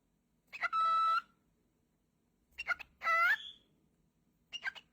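A cockatiel whistles clear, ringing phrases, one long steady note and one that bends upward.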